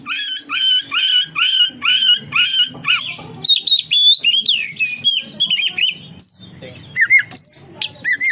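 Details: Singing Oriental magpie-robin meant to provoke other magpie-robins into song; a run of repeated buzzy chirps, then varied whistles, upslurs and squeaky notes over low background noise.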